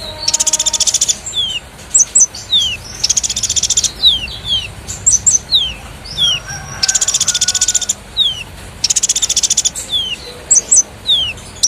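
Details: Konin in lively, energetic song, kept as a model for magpie robins and fighting doves: long buzzy rattling trills broken by clear rising whistled slurs, repeated in runs of several notes.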